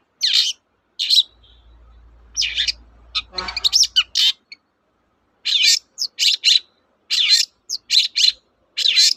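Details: Long-tailed shrike lure song to get reluctant birds singing: scratchy high chirps and buzzy notes in scattered bursts, with a brief hum and rustle early on, then quicker clusters of sharp notes.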